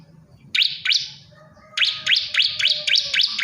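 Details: Male bar-winged prinia calling a female: two sharp rising chirps, then a quick run of five upswept notes at an even pace, with a steady thin tone and soft hum in the background.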